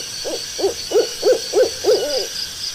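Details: Owl calling in the stillness of the night: a quick run of six short, hollow hooting notes, evenly spaced at roughly three per second, over a faint steady high-pitched whine in the background.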